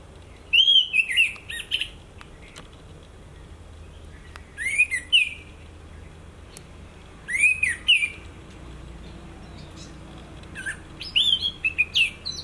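An Orange-headed thrush sings four short, varied phrases of clear, rich whistles with sharp high notes, separated by pauses of a few seconds, against a quiet background.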